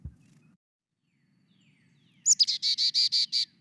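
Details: Carolina Chickadee chickadee-dee call, where the number of dees signals a predator's size: a quick, high, thin opening note, then about seven buzzy, evenly spaced 'dee' notes in a rapid run, with a faint low indoor hum.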